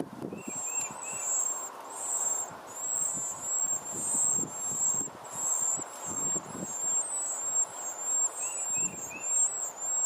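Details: Hungry baby birds begging while their mother feeds them: thin, high, sustained whistling notes repeated in steady bursts, with brief lower chirps near the start and end over a low background rumble.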